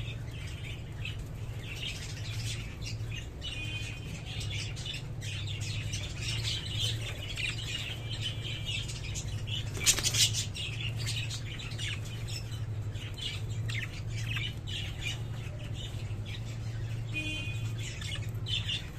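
Budgerigars chatter with quick, high chirps and warbles over a steady low hum.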